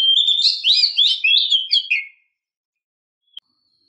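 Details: Luring calls of a female Oriental magpie-robin aimed at a male. One rapid two-second outpouring of rich, tumbling high whistles and warbles, followed by silence and a single faint tick.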